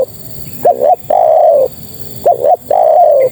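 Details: Female spotted dove calling males: two cooing phrases, each a quick double note then a drawn-out, gently falling coo, clear and close with steady background hiss.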